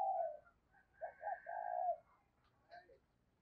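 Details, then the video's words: Lure spotted dove, 2022: a long coo, then a three-note phrase ending in a drawn-out note, with a faint higher whistled tone from another bird running alongside and a short chirp near the end. "tiếng cu gáy - Chim Cu Mồi Thúc Và Gáy Gọi"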